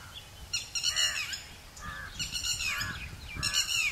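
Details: Red-whiskered bulbul giving bright, chattering calls in short bursts about every second, rising and falling liquid notes over faint murmur, in a garden where parents lured a chick with sweet calls into a bush to roost.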